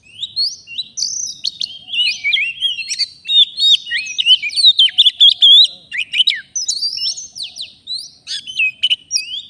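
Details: Wild forest Oriental magpie-robin, met while bird trapping, singing at full power: a dense, unbroken rush of varied high whistles, sharp chirps and scratchy trills, with rapid jumps in pitch and hardly a pause; no other sounds stand out.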